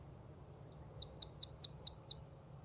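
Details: Blue-crowned hanging parrot at a luring spot: a drawn-out thin high note followed by six sharp, evenly spaced high chips about a quarter second apart, over faint low background noise.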